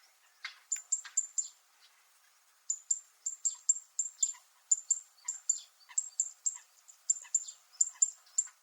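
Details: Zitting cisticola, called fan-tailed warbler, on Miyako Island, Japan, giving its metallic sound: sharp, very high ticking notes in quick bursts of three to five, separated by short pauses, with a longer silent gap near the start.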